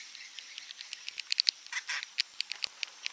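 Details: Swiftlet 'inap' (roosting) call: a rapid run of short, high, clicking chirps, some louder and clustered, irregularly spaced over about three seconds, with no other sounds.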